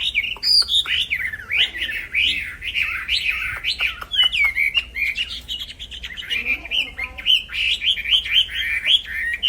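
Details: Black-throated laughingthrush (wambi) in fighter-style nonstop song, used as a tutor for training other songbirds: a dense, unbroken run of rapid whistled and chattering phrases rising and falling, with squeaky notes and a few sharp clicks mixed in.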